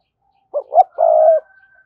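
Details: Spotted dove giving its rival-calling coo in the thúc gù manner: a short broken pair of notes, then a long level croo, with a thin higher tone continuing softly after.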